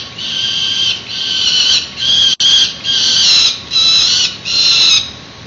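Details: Peregrine nestlings about to fledge, watched by a sibling on a San Francisco building ledge at 7:10 am, 1 May 2019; a steady series of long, harsh, buzzy screams repeated roughly once a second, with one brief click.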